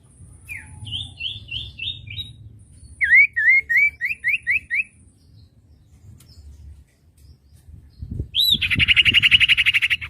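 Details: Common iora song used as a master recording for training young songbirds: a buzzy rising note, then repeated slurred whistled phrases, then fast rattling trills, with faint low background rumble.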